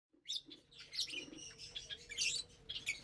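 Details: Several lovebirds chirp during a Saturday morning meal of vegetables and seeds on April 30, 2022. Quiet, high, scratchy twittering comes in short overlapping bursts, with a faint low hum underneath.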